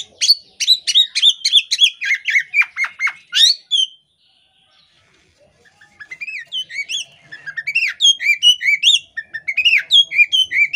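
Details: A female Oriental magpie-robin in breeding condition, chattering with tail spread, gives fast, varied, high whistles and chirps, about four notes a second, in two bursts separated by a pause; finding: Oriental magpie-robin.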